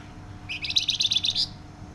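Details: A single dense burst of Flamboyan song: about a second of rapid, high, chattering trilled notes, loud and tightly packed, with a faint low hum behind.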